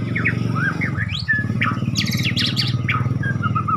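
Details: White-rumped shama of the Medan type, a bird offered at auction, singing clear whistled phrases and short rising and falling notes over a loud, steady low rumble that sounds like engine or vehicle noise.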